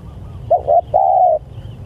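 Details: A single cooing phrase from a spotted dove calling to its companions: two brief clipped coos, then a longer steady hooting note, against a soft low rumble.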